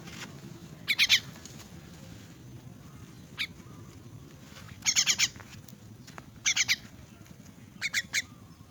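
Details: An orphaned, crippled myna being fed gives harsh, grating squawks in short clustered bursts, about five bursts in nine seconds, over a low steady background rumble.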